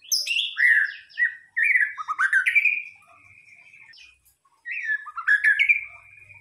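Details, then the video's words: White-rumped shama song used as a lure track: bright falling whistles and twittering trills, then long sliding whistled notes, a quiet pause, and another burst of warbled and whistled phrases. "pancingan murai batu"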